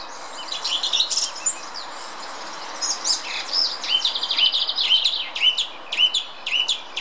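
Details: A song thrush in the Munich Botanical Garden sings bright, varied phrases of clear whistles and chattering notes, some phrases repeated two or three times, over a faint background hiss.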